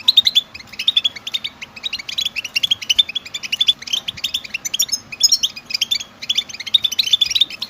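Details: European goldfinches in group song used to stimulate males into singing nonstop, with mating calls: bright, tinkling twitters and short chirps in quick bursts, some liquid trilled phrases, overlapping birds, faint room hum.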